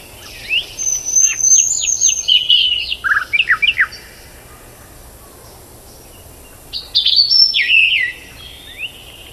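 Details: Tailorbird giving a quick string of shrill chirps and down-slurred notes for about three seconds, then a pause and a second burst of high, clustered notes. The background is quiet.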